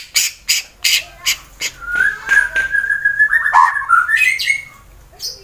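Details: White-rumped shama, fighter type, Wonosobo, Central Java, Indonesia, used to provoke rival birds: several sharp clicks, then a long wavering whistled phrase with quick modulated notes.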